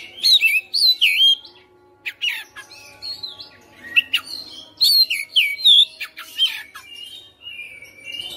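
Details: Caged white-rumped shama singing energetically, its song packed with rapid whistled swoops, rising and falling slurs, harsh squawky notes and sharp clicks, phrases tumbling out in quick bursts over eight seconds.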